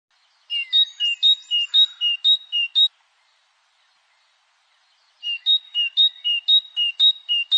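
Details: European goldfinch singing in the 'batbata' song style: two bursts of bright, evenly paced alternating high notes, each opening with a short buzzy chatter, separated by a quiet pause; no other sounds.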